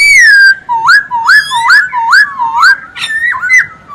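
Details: Masked laughingthrush in full song, recorded as a tutor for other birds: one long falling whistle, then a quick series of rising, upslurred whistled notes about twice a second, trailing off into softer notes.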